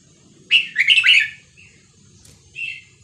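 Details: Vietnamese-style red-whiskered bulbul song, labelled 3-4-5-6-7, played for young birds to learn and to excite birds. One loud, quick, bubbling warble of clear whistled notes is followed by two brief soft whistles, over a low rumbling background.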